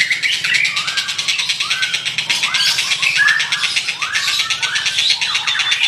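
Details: White-rumped shama singing vigorously: a fast, rattling pulsed background with a run of repeated, downward-curving whistled notes, roughly one to two each second.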